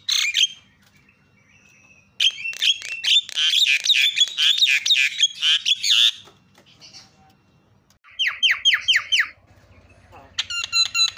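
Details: Javan myna calls used to provoke other mynas into calling: loud bursts of harsh, squeaky, rapidly repeated notes in two volleys with short pauses, ending in a buzzy stuttered phrase.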